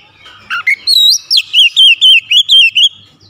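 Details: Oriental magpie-robin in 'tembakan pedas' song: a fast, nearly steady run of about ten loud whistled notes, each with a curling, up-and-down inflection, after a couple of lower rising opening notes.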